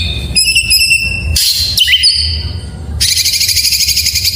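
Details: Oriental magpie-robin singing in the morning, thin high whistled notes repeated rapidly, then harsh broad buzzy bursts and a sliding whistle, ending in a long rasping buzzy trill.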